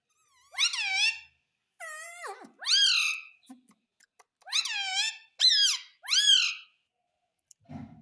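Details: Talking parrot repeating "mummy": six loud, clear, strongly harmonic calls, each a short falling or rise-and-fall slur, sounding in bursts about a second apart, with a faint low rustle at the end.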